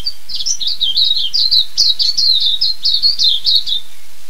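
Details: Silvereye, known as waxeye, in New Zealand: a continuous high, warbling song of quick slurred notes rising and falling, running for nearly four seconds with a faint low rumble underneath.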